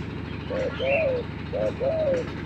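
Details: Spotted dove (tekukur), a lure bird set against a newly trained bird, giving soft hooting coos in two paired phrases, each a short note followed by a longer arched one, over low rumbling background noise.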